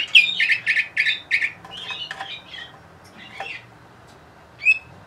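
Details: Song of a Bulgarian canary from Sofia, the 2020 bird Orpheus: a loud, quick trill of repeated notes opens, fades into softer scratchy twitters, then one clear upward whistle closes the phrase.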